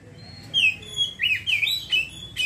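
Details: Brief ngeriwik phrase from a kacer, the Oriental magpie-robin: rapid sliding whistles repeated several times in quick rhythm over a faint low hum.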